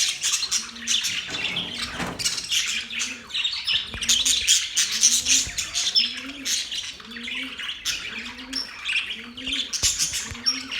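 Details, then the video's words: Budgies chirping and singing during mating: sustained bright, scratchy chatter from several birds with sharp squeaks, and a steady low arched hoot repeated roughly each second throughout. "Budgies singing | Budgies mating sounds | Budgies chirping sounds"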